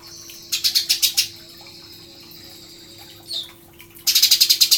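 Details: Master song of a Eurasian tree sparrow for training songbirds: a run of about seven bright chirps, a long near-silent stretch with a faint thin tone, then another rapid chirping burst.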